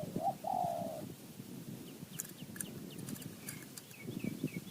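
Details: A wild spotted dove in Thai highland forest gives one hoarse cooing phrase, a short rising note leading into a long buzzy coo, followed by faint high chirps from other birds and light clicking sounds.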